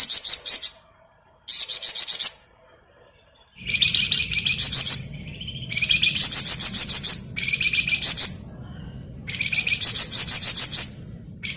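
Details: Gacor flamboyan bird in ngebren mode, used as masteran for songbirds: long runs of rapid, buzzy, high chattering trills in repeated bursts about a second long, with brief higher whistled notes between and steady low hum behind.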